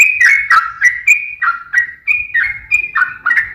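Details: Yellow-vented bulbul singing to lure other bulbuls into song: a series of clear whistled notes, each dropping downward, repeated roughly every third of a second.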